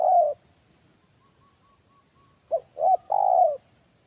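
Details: Spotted dove calling during a trapping session with a decoy bird; a low cooing note, a pause, then a short burst of three coos ending in a longer drawn-out coo, with a steady high electronic whine throughout.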